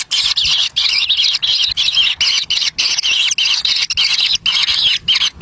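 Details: Wild kingfisher nestlings fighting over a black lizard delivered by an adult; dense overlapping wavering squawks, nearly unbroken, with quick pauses.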